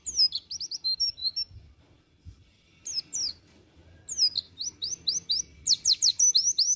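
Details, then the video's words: A white-eye (pleci) in promising ngriwik song gives rapid, high, twittering chirps in quick bursts, with a pause midway before another busy run of sweet notes. "NGRIWIK PROSPEKAN BAGUS PLECI"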